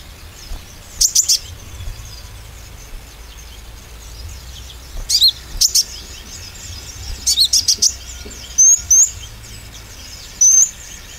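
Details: Oriental white-eye singing lure for green and spotted birds: sparse clusters of high, thin chirps and a few short whistled slurs separated by pauses of a second or more, with faint low hum.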